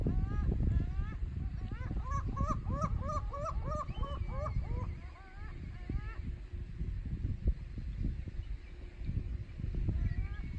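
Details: Gulls at a rocky shore at Takide on the Noto Peninsula, Japan, recorded 12 May 2019: a series of repeated yelping, rising-falling cries, then quieter, over steady surf and wind rumble.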